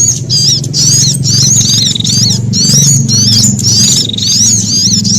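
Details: Frightened sunbird calls mixed with prinia: rapid, high, squeaky scolding phrases in repeated bursts, a few thin level whistles among them, over a strong low humming background.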